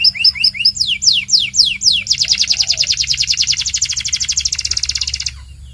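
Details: Belgian canary song for training young canaries: a few sweeping downslurred whistles, then a long rapid buzzy trill of evenly repeated notes that fades out near the end.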